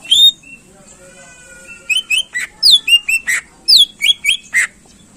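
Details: Greater green leafbird singing to excite contest birds: a loud opening whistle, a quiet stretch, then a string of sharp downslurred whistles and chips repeated in quick succession.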